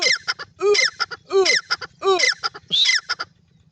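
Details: Teetar, or francolin, calling steadily. About five loud, rhythmic phrases come roughly every 0.7 seconds. Each mixes a sharp whistled note, a lower arched note and a quick stutter of harsh syllables, then the calling stops.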